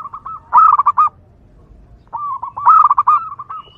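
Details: Two short phrases from a wild local zebra dove in full song, a recording used to attract other zebra doves; each phrase is a quick run of stuttered, purring coo notes with a stronger accented middle.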